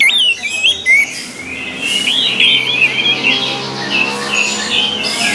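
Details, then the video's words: Orange-headed thrush heard on a training recording, opening with sharp high notes, then a long flowing series of looping, rolled whistles at steady loudness. "MELATIH SUARA ANIS MERAH AGAR CEPAT GACOR"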